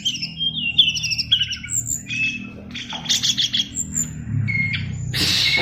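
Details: Caged oriental magpie-robin kept as a fighter bird sings varied whistled phrases and short chattering bursts in 'isian luber' style, interrupted by a harsh burst at the end, over a noticeable low rumble.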